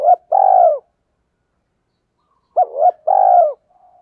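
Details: Spotted dove kept as a decoy and calling quickly to attract others: two phrases, each a short hooked coo then a long, throaty, gently falling note, spaced about two and a half seconds apart.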